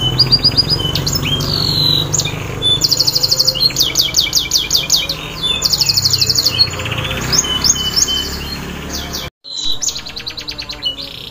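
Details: Canary singing, offered as a lure to restart a silent bird: long sequences of fast high rolls and chopped trills with whistled sweeps, under a continuous low hum, with a brief cut near the end.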